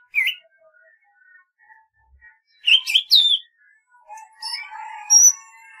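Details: Golden-fronted leafbird: a sharp chirp, faint soft notes, then a loud burst of rapid slurred whistles, followed by a long warbling, overlapping twitter at several pitches.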